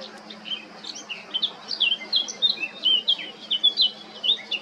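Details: Eurasian blackcap male, recorded 20 July 2022 in Baška, Krk island, Croatia, delivers a fast, varied warble of bright whistled and twittering notes running continuously through the phrase.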